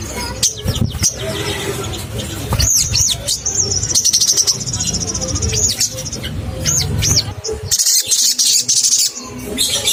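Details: Crimson sunbird, played as a lure to excite caged birds: sharp, high looping notes and thin trills among clicks and low background rumble, ending in a harsh hissing burst.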